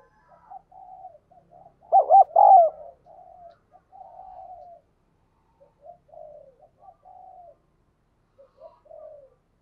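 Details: Decoy spotted dove calling wild doves in with insistent coos. One loud phrase of doubled hollow notes and a long, falling coo stands out. Many soft, distant coos from other doves run before and after it.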